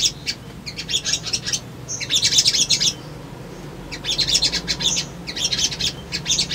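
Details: Lure recording of sunbird song meant to make newly caught birds respond and look for a rival: bursts of shrill, rapid, high chirps separated by pauses of about a second.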